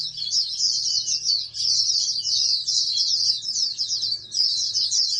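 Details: Captive-bred oriental white-eye being raised for national contests, singing a dense, continuous high twittering warble with slight dips in loudness, over a low background hum.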